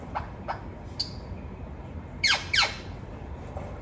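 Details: Parrot kept as a talking bird: a few faint clicks and ticks, then two loud, sharp, downward-sweeping squawks in quick succession, followed by quiet.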